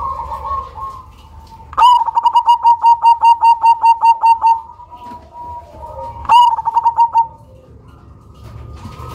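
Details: Loud Cemani zebra dove, kept as a lure bird, delivers a long rhythmic coo: a sharp start then about a dozen evenly spaced pulsed notes, followed by a shorter second phrase; quieter doves coo in the background.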